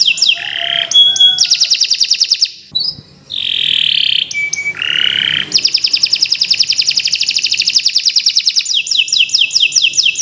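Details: Canary (Kenari Nusantara) singing a long, continuous training song for birds that have stopped singing: rapid buzzy trills, rattling repeated notes, short whistled slurs and fast descending note series, all high-pitched and almost unbroken.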